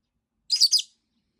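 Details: Masked lovebird kept as a pet, complaining after more than a week without play, gives one scratchy, high-pitched call broken into three quick rasping pulses.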